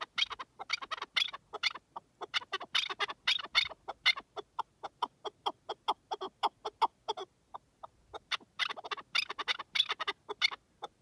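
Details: Partridge heard in the wilderness giving a loud, rapid series of harsh chucking notes. The rhythm builds into dense bursts, eases off midway with a short pause, then swells again.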